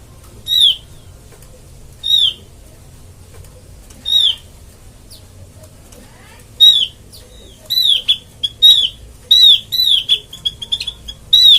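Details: Oriental white-eye lure call for trapping: clear high whistled notes, each slurring down, given singly about every two seconds, then in a quicker run of repeated notes with thin faint chips between.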